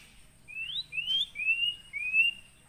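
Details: Captive white-rumped shama of Aceh, Gunung Leuser stock, trapped wild at Aih Ilang (Sungai Merah), Pining, in 2017 and now kept on a farm. It sings four clear whistled notes, each gently rising then level, evenly spaced about half a second apart.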